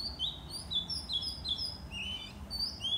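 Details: Morning song of a white-rumped shama, with bright, clear whistles that slide upward, given in rapid succession with slight variation between notes over faint low rumbling noise.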